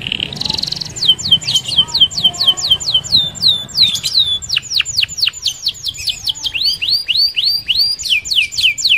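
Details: Canary in rolling song meant to lure other canaries: long runs of rapid, high, downward-swept whistled notes repeated in trills, changing tempo between phrases, with faint lower sounds in the background.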